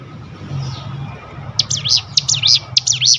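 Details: Sunda bush warbler singing in full ngebrem style, used as a training lure. After a second and a half of low hum, a quick run of high, sharp V-shaped notes repeats rapidly to the end.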